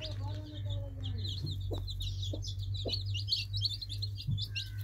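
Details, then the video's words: Group of baby chicks giving thin, high peeps that grow denser toward the end, over a constant low electrical-sounding hum and a few dull taps. "Baby Chicks Birds Sweet Sound Effect Cute Baby Chicks Chirping"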